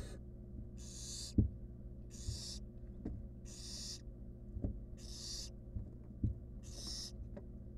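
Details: Nestling barn owl in a wild monitored nest box, eating a stolen rodent alone, gives long rasping hisses, six spaced over eight seconds, with scattered knocks and low hum.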